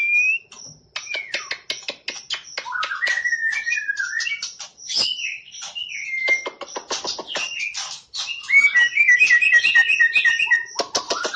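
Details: Champion white-rumped shama from bird competitions delivering 'tembakan' song: rapid volleys of sharp clicking notes broken by slurred whistles and a trilled, rippling passage near the end.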